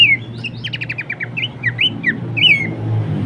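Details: Horsfield's babbler song for songbird training: an opening whistle, then a rapid burst of about eight stacked short notes, and a few slurred whistles, against a noticeable low rumble.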